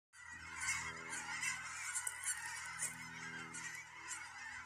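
Cackling geese call together in a dense chorus of high, yelping honks and cackles, overlapping continuously with no clear gaps.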